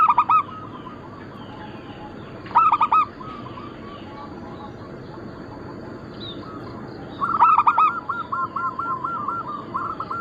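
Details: Local Bangkok-cross zebra doves from lure and tutor material: short loud coo bursts at the start and near 2.5 seconds, a lull, then a loud burst leading into a long rolling train of repeated coos.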